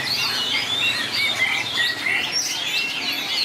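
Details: White-rumped shama singing in a contest, with long, varied phrase changes: dense, rapid whistled notes and slurred sweeps, mostly high-pitched, overlapping continuously with no pauses.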